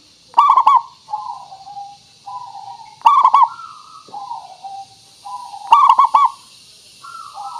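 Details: Local zebra dove song used as a lure so other birds reply: three loud rolling coo phrases of quick stuttered notes, each followed by softer drawn-out falling coos, repeating roughly every two and a half seconds.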